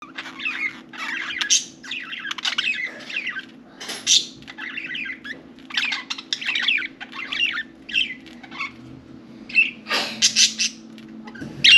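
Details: Four pet budgerigars playing and talking inside and on top of their cage; continuous bright warbling chatter of rapid twittery notes with short pauses, and a faint steady hum underneath.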